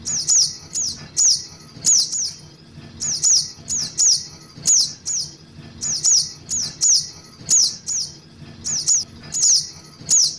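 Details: Lure recording of a young Ruby-cheeked sunbird calling: piercing high notes that slide downward, given singly or in doubled bursts, repeated in a regular looping pattern for ten seconds, with a faint low rumble underneath.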